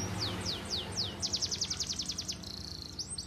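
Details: A canary sings a run of four slow, sharply falling whistles, then a fast trill of about eight notes per second, ending on a steady flat tone and a rising note.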